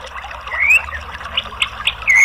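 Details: Orange-headed thrush, called anis merah, in a song therapy recording meant to encourage a quiet bird to sing: a rising whistled slur, then short bright chips and a final strong whistle.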